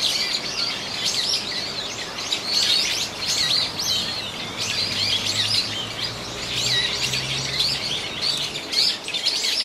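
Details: Eurasian teal flock on a pond at the Aviation Park, 19 January 2023, a chorus of high, short piping whistles, faint low hum beneath; separately recorded park ambience layered over the field sound.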